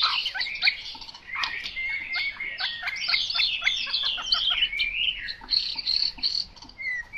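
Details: Chinese hwamei delivering a continuous, loud, tumbling song of bright whistles, slurred glides and quick chattering notes, with barely a pause, ending on a few clear whistled notes.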